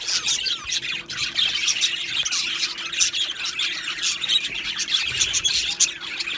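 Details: Australian budgerigars in a colony aviary, squawking and chirping nonstop: sharp high squeaks, short warbles and clicking notes from many birds layered densely, with a light steady hum in the background.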